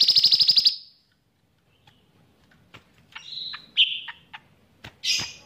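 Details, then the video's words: Caged cucak ranting bulbul singing vigorously, its song trained to include cicilin song; opens with a fast buzzy trill of about eight pulses, then a pause, then short whistled notes mixed with sharp clicks. "Cucak Ranting Gacor Isian Cicilin"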